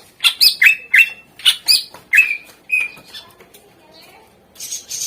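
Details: Greater green leafbird singing to encourage lazy birds: a quick chain of bright chirps and short whistles slurring downward, fading into softer notes and ending with a hissy burst.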